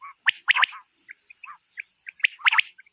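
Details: Female quail calling, used by hunters: two bursts of sharp triple chirps, separated by scattered soft, short notes.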